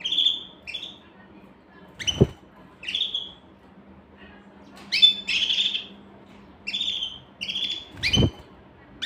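A canary sings in short bright bursts of whistled and trilled notes, high-pitched and varied, with brief pauses between phrases; two sharp clicks or knocks are heard.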